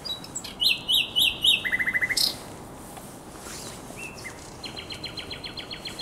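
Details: Nightingale song recorded at the Żerań Canal, 23–24 April 2022: spaced loud piping notes, then a rapid stuttering rattle and a harsh burst, followed by a quieter fast series of repeated high clicks over constant hiss.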